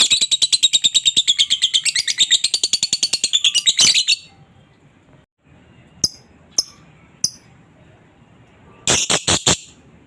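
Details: Lovebird song played to make silent lovebirds answer: about four seconds of fast, rhythmic high chirping, then a pause with a few isolated sharp clicks and a short burst of loud notes near the end.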